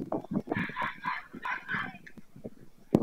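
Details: Brief burst of white stork calling in Madrigal de las Altas Torres, Spain, on 25 July 2024 as the season ends: quick nasal notes in a rhythmic string, ending with one sharp snap.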